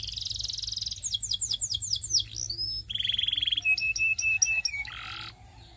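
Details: Belgian singing canary in varied song: a fast trill, a series of sweeping slurred whistles, a steady flat tone, then clipped repeated notes and a short buzzy phrase.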